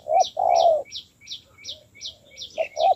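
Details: Newly caught spotted dove being trained as a decoy. It gives deep cooing: a short note, then a long drawn coo, then more short coos. Quick, high, repeated chirps from a small bird run above throughout.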